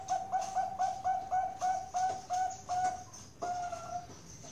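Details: Captive Bangkok zebra dove from a farm in Kroya, Central Java, giving a fast string of short, even coos, roughly three to four per second, ending in a longer drawn note; room noise faint behind.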